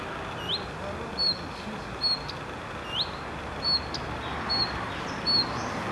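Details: Common redstart (Phoenicurus phoenicurus) calling: short, thin, high upslurred whistles repeated about every second over a steady background rush.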